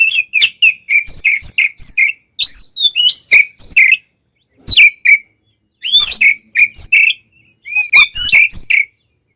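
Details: Oriental magpie-robin delivering a provocative fighting song for enraging other magpie-robins. Clear looping whistles and sharp chips repeat in quick clusters, broken by short silences, with a dry rasp here and there.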